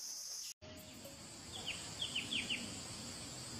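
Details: Wild grey-cheeked bulbul giving a quick run of five sharp, downslurred whistled notes, over a steady high insect drone and a brief handling knock.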